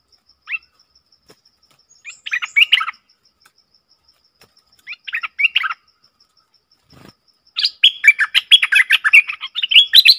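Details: Bulbul, recorded 20 March 2022; two short chirpy phrases with silence between, then a long, lively stream of warbled notes fills the final seconds, over faint regular ticking.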